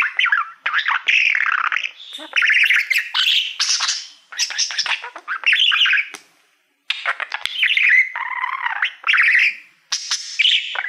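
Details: Caged male budgerigar that loves mirrors, warbling at a shiny plaque indoors: long bursts of scratchy chatter, squeaks and buzzy trills separated by short gaps, with one near-silent pause midway.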